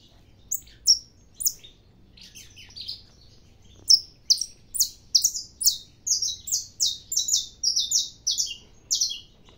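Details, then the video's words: Early-morning saffron finch song from a caged bird: scattered high chips at first, then a fast run of about twenty crisp, descending notes tumbling together in the second half. "canário da terra cantando"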